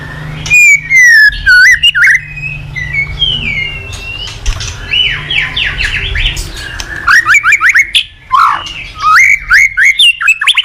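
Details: White-rumped shama singing as a master song to train other shamas: whistled slurs, a run of rapid rising notes mid-phrase and sharp repeated chips, with a low hum beneath.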